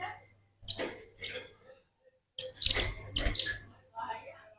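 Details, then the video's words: Velvet-fronted nuthatch singing vigorously, used as a tutor recording for training birds: short, sharp, very high chips and clicks in scattered bursts, with brief quiet gaps between them. "Burung Rambatan Paruh Merah ngebren || Burung Masteran || Pancingan Burung Rambatan Bahan Ombyokan"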